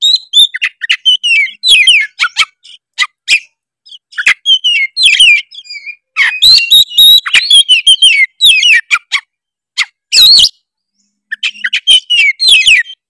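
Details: Tretes-type oriental magpie-robin in full varied song meant to provoke rivals: a dense, continuous run of sharp whistles, buzzy trills and rasping chatter, with brief gaps near the middle and end.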